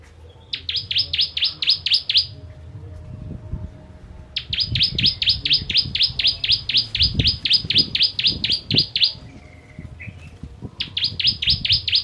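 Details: Bar-winged prinia, local name ciblek, giving 'kristal' song in spicy 'tembakan' bursts as a master for training birds: three runs of rapid, rattling buzzy notes, the middle one long, with soft low knocking underneath.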